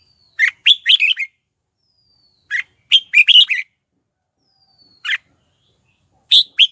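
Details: Red-whiskered bulbul decoy singing to draw wild birds in to fight, giving brisk warbled phrases of several whistled notes, some shortened to one or two notes, separated by brief pauses.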